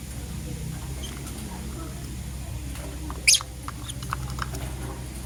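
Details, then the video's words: Green Personata and yellow pastel pied lovebirds in the morning give one loud, shrill, high chirp midway, followed by a few soft clicks, against a steady low droning hum. "Lovebird Chirping Sounds - Green Personata & Yellow Pastel Pied"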